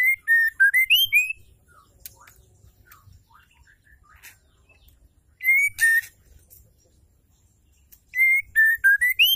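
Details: Female white-rumped shama calling to spur males into song: three bursts of clear whistled notes, flat, dipping and rising phrases repeated, with faint thin chirps and clicks between the bursts.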